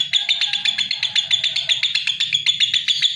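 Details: Short burst of lovebird song: high, sharp chirps in a rapid, slightly uneven series, with a faint lower warble beneath early on.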